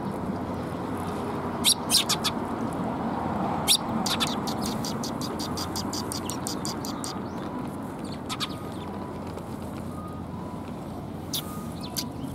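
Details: Several sparrows, recorded on 20 February 2021, give short, sharp chirps in scattered bursts, including a quick run of clipped notes midway, over a steady low rumbling background.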